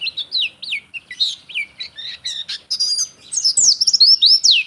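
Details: Pleci, the Oriental white-eye, in gacor ngeplong song used for tutoring or luring birds: a continuous high warble of quick slurred whistles and chips, growing denser and louder toward the end.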